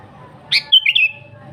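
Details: Kutilang, or sooty-headed bulbul, singing gacor for luring wild birds: a single quick bubbly phrase made of a sharp upward note followed by two or three clear whistled notes sliding lower, against steady low hum.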